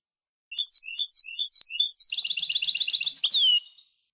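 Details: Singing European goldfinch kept as a pet bird; bright high tinkling notes lead into a rapid buzzy rattle that closes with a downward-sliding whistle.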